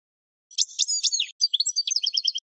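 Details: European goldfinch song for training other birds: harsh slurred chirps running into a quick, evenly spaced twittering trill, bright and high, about two seconds long, no background noise.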